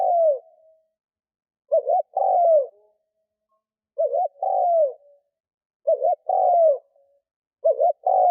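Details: Decoy spotted dove luring wild doves with repeated low coos: the end of one phrase, then four more, each a short quavering note followed by a longer downward-sliding coo, roughly every two seconds.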